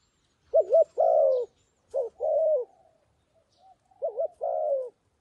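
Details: Cooing of a decoy dove used to call wild doves down: three phrases in about five seconds, each a short doubled hoot and then a sustained coo that slowly falls away, over a quiet background.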